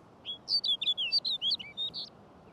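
A Snow Bunting sings a quick, sweet warble of about a dozen clear, high whistled notes that rise and fall, over faint background hiss.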